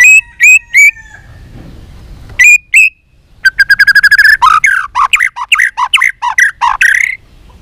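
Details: Contest-training white-rumped shama sings several separate whistled notes, then launches into a fast, rich run of rapid repeated notes and tumbling, varied phrases, loud and clear with little background.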